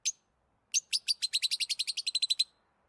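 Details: Lovebirds chirping while playing, eating or excited: one short high chirp, then a rapid series of about fifteen sharp, high chirps repeated evenly over under two seconds, ending abruptly; no other sounds.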